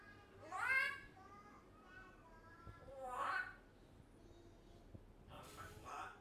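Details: Talkative pet African grey parrot, one year old, producing speech-like phrases indoors: voiced, word-like sounds in short bursts about every two to three seconds, with quieter murmuring between.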